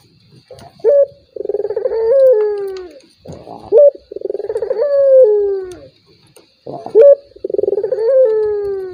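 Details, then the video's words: Turtle dove calling to provoke a rival that is slow to call, three phrases roughly every three seconds: a quick bright note, a rattling purr and a long falling coo. "PANCINGAN BURUNG PUTER || COCOK UNTUK LAWAN YANG MALAS BUNYI"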